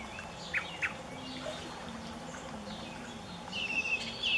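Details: American robin fledgling at a lake edge in Northern Illinois, 28 May 2016: two thin, high chirps a moment apart, then a quick run of sharp squeaky notes, over a soft background hum of water.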